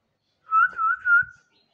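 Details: A captive common myna (shalik), a talking bird kept in Bangladesh, gives a clear, steady whistle in three quick swells lasting about a second, with a slight waver in pitch, in a quiet room around its bathing.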